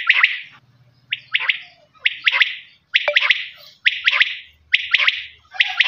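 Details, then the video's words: Quail giving a rhythmic series of sharp, liquid three-note calls, roughly one phrase per second, with a faint low buzz underneath. "Voice of quail's"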